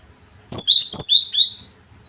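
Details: Cinereous tit (gelatik batu) used as a lure to rouse other birds and stir their fighting spirit: two sharp high whistles, each sliding down into a lower clear note, in one quick phrase of under two seconds.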